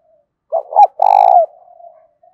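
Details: Spotted dove voicing a 'thổ'-style song with a touch of 'đồng': a double rising coo, then a strong, slightly pulsing drawn-out coo that trails into a soft low tail.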